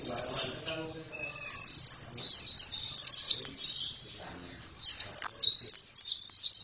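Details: Oriental white-eye singing gacor-style: faint low sounds at the start, then a quickening string of high, sharp, downslurred chirps that grows louder toward the end.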